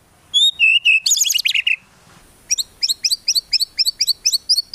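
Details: Lively gacor song of a white-rumped shama used to train songbirds, with tembakan bursts and no ngukluk: a few clear descending whistles, a dense harsh flurry, then a steady series of sharp high chips about four per second.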